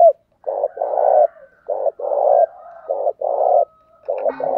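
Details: Spotted dove used as a decoy, cooing to draw wild doves to call: low hollow coos near 600 in paired phrases, a short note then a long burred coo, repeated steadily through the clip.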